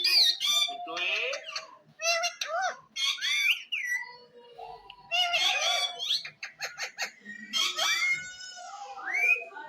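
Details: Ring-necked parakeet, a green pet parrot, talking indoors: a run of short squeaky, speech-like syllables and whistled glides, with harsh squawks mixed between quick bursts and brief pauses.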